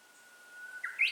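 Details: Japanese bush warbler song recorded with a handheld camera: a drawn-out level whistle lasting most of the moment, breaking at the end into the first rising, brighter notes of the flourish.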